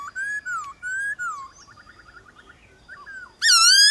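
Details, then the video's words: White-cheeked laughingthrush in a morning singing contest with wild laughingthrushes: a series of clear, slurred whistles, some falling and some rising, then a softer quick trill, a short pause and a loud, rich rising whistle at the end. "Khướu bạc má HÓT ĐẤU với Khướu ngoài thiên nhiên buổi sáng cực hay"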